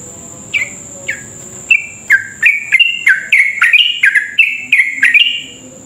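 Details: Sooty-headed bulbul in long, rapid 'ropel' song, meant as a lure to make other bulbuls sing fast: about fifteen short whistled notes, each slurring down, coming faster and fuller over six seconds, over a steady high whine and soft background hiss.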